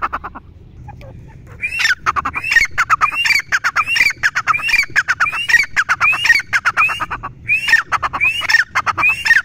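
Grey francolin giving a loud, harsh, ringing series of rising notes, repeated over and over at a quick, uneven pace, with faint background noise.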